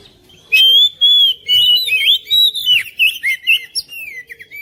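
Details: Oriental magpie-robin at home, song played to prompt a lazy bird to join in: clear sustained whistles followed by a rhythmic series of short warbled phrases, about two per second, on a quiet background.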